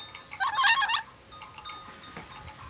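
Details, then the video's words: A Sulawesi red-breasted parakeet, kept for its many whistles, gives one short grating, chattering burst, then quiet with soft background hiss. "Nuri dora sulawesi pintar bersiul, nuri dora banyak siulan"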